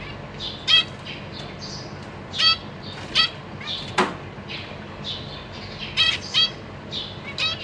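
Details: Caged zebra finches with three juveniles and three new babies being fed by their parents, 14 April 2023: repeated short nasal beeps and soft cheeps from several birds, one sharp click midway.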